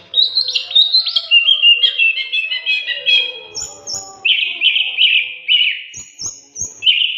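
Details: Oriental magpie-robin in full, vigorous song on a master training recording: varied warbled and chirped phrases, rapid trills, and several short, very high whistled notes, with the phrases delivered in quick succession and a few faint clicks between them.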